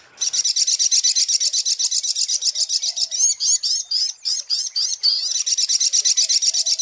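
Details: Sunbird song used as a lure recording for trapping, a fast high trill of buzzy notes repeated about twice a second, broken by a few rising sweeping notes midway.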